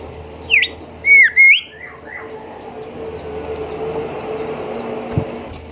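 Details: Golden whistler, locally called kancilan emas or bimoli, recorded as a tutor song for caged birds: three loud, clear whistles, the middle one long and drawn out, followed by soft high chips and steady low hum.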